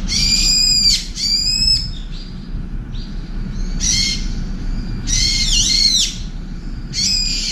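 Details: Brown-eared bulbul driving a turtle dove away from a window feeding spot with shrill shrieks: two quick strident bursts, faint thin notes, then longer grating screams, over a low constant hum.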